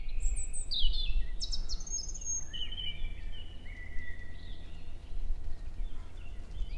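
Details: European robin singing in early May at 7 in the morning in woodland at Hoher Peißenberg, a female nearby exchanging contact calls with the male; thin high whistled phrases and trills drift between pitches, over steady low background rumble.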